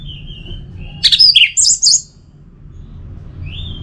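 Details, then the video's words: Orange-headed thrush singing as a lure: a soft thin whistle, a short burst of loud high chirped notes, then quiet with another faint whistle. "Pemancing Burung ANIS MERAH Agar Selalu Gacor"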